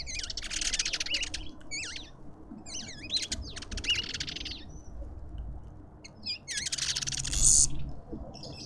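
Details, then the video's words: Lovebirds at a feeder in a suburban garden in Pretoria, South Africa: sharp, wavering high shrieks and harsh chattering bursts, in clusters separated by short pauses, over a low background rumble. "Lovebirds endlessly"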